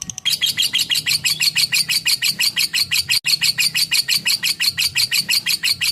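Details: Lovebird in its long 'ngekek' chattering style: harsh, evenly spaced high chips at about three a second, held for the whole stretch with only one tiny break.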